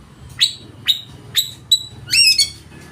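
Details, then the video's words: Oriental magpie-robin singing loudly with full, rich varied material meant to provoke rivals into singing and fanning tails: four sharp, high whistled downslurs about half a second apart, then a quick burst of chattering, sweeping notes. "Kacer ngeplay full materi mewah suara keras bikin lawan ikut gacor dan buka ekor"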